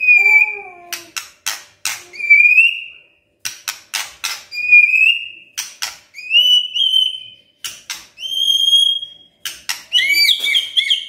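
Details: White-rumped shama morning song aimed at getting a silent shama to sing: long, clear, level or slightly rising whistles, broken by sharp clicking notes, with rich ringing overtones.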